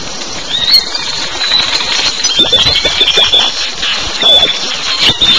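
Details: Great-tailed grackles in a raucous morning chorus at the municipal garbage dump just south of Pisté, Yucatán, Mexico: harsh, creaky notes, rising metallic whistles and dry clacks overlap continuously over a steady hum.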